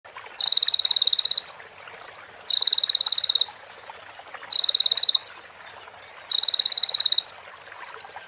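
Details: Sunbird song with female prenjak and ciblek fill-ins, recorded for tutoring other birds: high buzzy trills about one second long, each ending in an upslurred note, alternating with short sharp rising chips, repeating about every two seconds.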